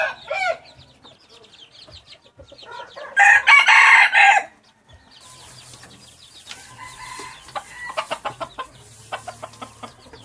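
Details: Hybrid red junglefowl cockerel: early clucks, then a powerful buzzy crow lasting over a second. After a pause comes a hissing background with a rapid run of short clucking notes and bird chatter.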